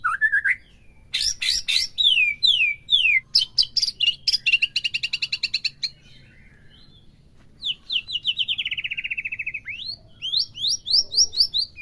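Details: Provocation song of a white-rumped shama for a caged bird: rising whistle, sharp clipped notes, rapid trills, then a steady descending string of quick notes and a few final upslurs.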